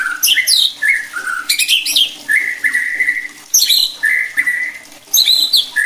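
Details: White-rumped shama song for provoking other shamas: steady mid-pitched whistled notes held for about half a second, alternating with harsh, high scratchy bursts.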